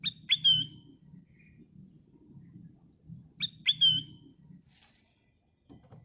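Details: Sooty-headed bulbul singing as a lure to draw other birds into song: a short phrase of two sharp notes and a clear falling whistle, repeated about three seconds later, with a steady low hum behind.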